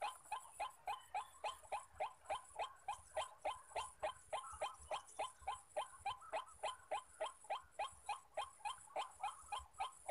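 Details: Rapid, evenly spaced harsh croaks from white-breasted waterhens, wild males calling all around a bird-trapping spot, running without a break at roughly three to four notes per second over faint background hiss.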